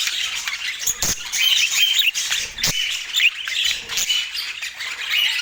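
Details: Pet budgerigar chatter recorded in Portland: rapid high twittering and scratchy squeaks rising and falling in bursts, with a couple of loud knocks near the start.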